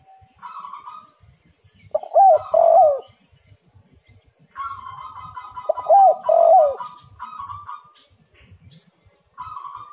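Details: Spotted dove song played as a lure for other doves: two cooing phrases about four seconds apart, each a hooked note and a falling coo, between buzzy, harsher higher-pitched bursts.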